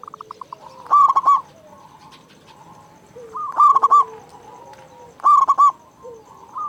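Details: Zebra dove of local stock, strong-voiced, used to prompt other caged doves to call: three loud, rough, ringing coos a couple of seconds apart, linked by softer rolling notes.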